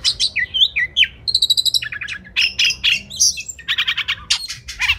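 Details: An Oriental magpie-robin's song, used to train competition birds: varied chirps, a burst of rapid repeated buzzy notes, harsh rasps and fast trilled stutters, continuous and lively.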